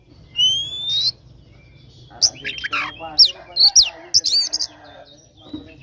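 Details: Oriental magpie-robin giving a provoking fight song: a long rising whistle opens, then after a pause a burst of sharp, steeply slurred chirps and buzzy notes, with faint voices beneath.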